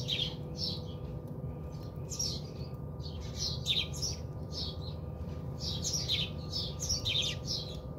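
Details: House sparrows in South Africa chirp continuously while bathing at a home, with dense runs of quick, high, slightly rasping chirps over a low hum.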